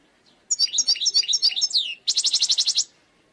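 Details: European goldfinch, a wild bird, sings a jingling run of varied high chips ending in a falling slur. It follows at once with an even, rapid buzzy trill of repeated notes.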